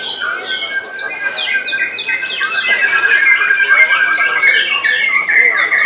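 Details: White-rumped shama in competition at a Semarang bird contest, July 2022, pouring out quick descending whistled notes over sustained piping tones, the phrases tumbling faster toward the end amid other singing birds.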